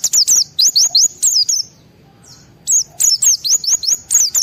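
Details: Excited white-eye song intended to set other white-eyes singing: two lively runs of quick, very high slurred whistles and chirps, split by a roughly one-second pause.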